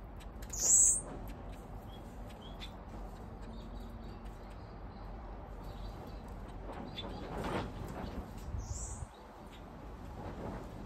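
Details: In an aviary set up to stimulate blue-capped cordon-bleus to breed, with an extra male prompting territoriality, one loud high thin note opens, a fainter one follows near the end, amid low background noise.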